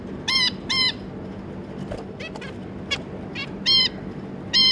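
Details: Zebra finches, a pair of adults with three juvenile young, giving loud nasal honk-like calls in short pairs and single bursts, with softer clicks between, over a constant low hum.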